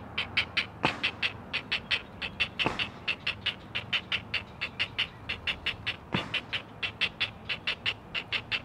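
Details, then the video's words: Nestling great blue herons, four of them, on a Chesapeake live camera, calling to their mother in a long steady chatter of raspy clicks, broken by a few sharp knocks. "Four Singing Great Blue Heron Chicks!"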